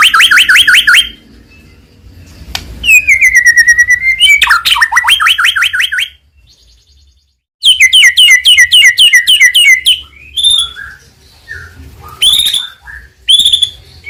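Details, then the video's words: White-rumped shama (murai batu) song played to provoke other birds into singing: loud bursts of rapid rattling and trilled high notes, sweeping whistles, separated by short silences, varied phrases throughout. "mancing emosi Murai Batu Gacor"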